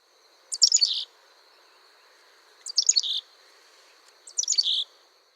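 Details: Black-capped Chickadee gargles: three rapid, tumbling bursts of high, sputtering notes, each about half a second long and roughly two seconds apart, over a faint steady high hum; a learned, complex, mainly territorial or courtship call given all year.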